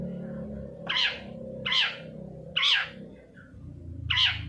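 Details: Long-tailed shrike used to stimulate singing in kept birds: four raspy, drooping scolding notes at uneven intervals, with a faint low hum in the background.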